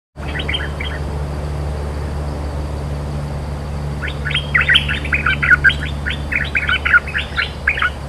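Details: Cream-vented bulbul, a territory-holding bird answering back, sings short bubbly bursts of chattering notes, one brief phrase early then a lively run of repeated quick warbles, over a steady low engine-like hum.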